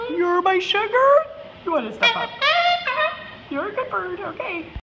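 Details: Pet bird singing and dancing in an office, a phrase its owner hears as "I love you". It gives a string of bright, bending whistled and voice-like notes, some rising and some falling, in short bursts with brief pauses between them.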